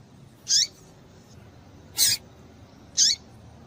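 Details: Female double-collared seedeater (papa-capim) calling to stir males into singing: three short, sharp, high-pitched chips spaced unevenly about one to one and a half seconds apart, over a faint low background hum.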